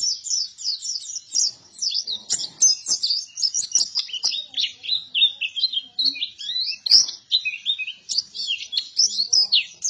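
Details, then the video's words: White-eye of the buktoni type in full, energetic song, an unbroken stream of rapid high twittering notes that wander up and down in pitch for about ten seconds, with occasional soft clicks behind. "PLECI BUKTONI GACOR"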